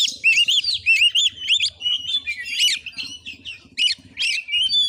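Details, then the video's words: Fighting Oriental magpie-robin, caged, tested at a house in Padang Gading, Sungai Rumbai, Muko Muko, Bengkulu; rich rapid song of looping whistles, sharp chips and harsh buzzy bursts repeated in quick succession, faint low rumble beneath. "Kacer tarung|pancingan Kacer gacor|Kacer Konslet"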